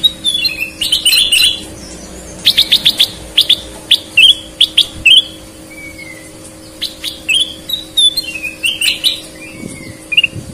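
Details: Sooty-headed bulbul in full persistent song. Broken phrases of bright whistles and quick clicking chips, one soft descending whistle near the middle, and pauses between bursts, with a low electrical hum throughout.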